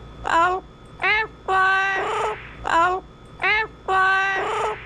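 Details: Double Yellow-headed Amazon kept as an adopted pet squawks in a steady series of six loud, nasal harmonic calls, short and long notes alternating about once a second, indoors.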